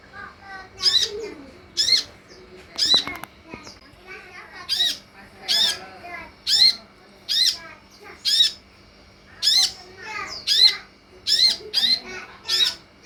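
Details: Sunbird song played as a lure to draw replies from other sunbirds: a long run of about fifteen harsh, buzzy, grating bursts, each under half a second, with faint twittering notes between and a brief clatter near the start.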